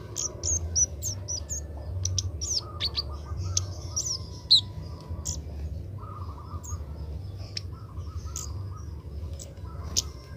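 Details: Young Oriental magpie-robin learning to sing under training: a quick flurry of high chirps and short whistles in the first half, fewer notes later, with a wavering buzz and low background hum.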